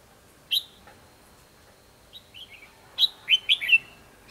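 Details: Red-whiskered bulbul fighting song during decoy trapping on 24 December 2015: one sharp whistled note, soft slurred notes, then a quick run of four loud, bright, falling whistles.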